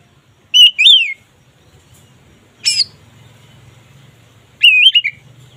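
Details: Oriental magpie-robin in 'ngeplong' song meant to raise mating drive: three short bursts of wavering whistled notes spaced by quiet gaps.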